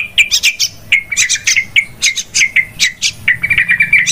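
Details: A yellow-vented bulbul gives a very noisy chatter, used as a lure call: a rapid run of bright, bubbly chirps, several every second, with no other sounds standing out.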